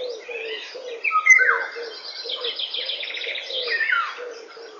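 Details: Eurasian golden oriole singing at 08:15 on a May morning in 2013, one brief, loud fluty whistle falling in pitch, over steady low cooing of a dove and a rapid buzzy chatter of another bird.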